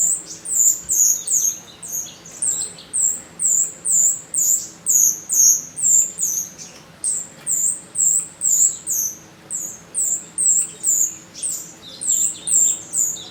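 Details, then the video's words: Jalak rio starling recorded as a lure to make other birds answer: sharp, high squeaky notes repeated about twice a second in a steady run, with a faint low hum underneath. "Pancingan jalak rio bahan langsung nyaut"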